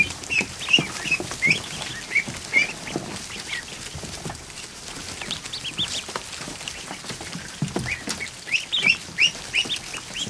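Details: Newly hatched ducklings, more than a hundred, kept together in a kiddie pool inside a barn; bursts of sharp, rising-falling peeps from many birds, quieter stretch midway, then another loud cluster, water splashing throughout.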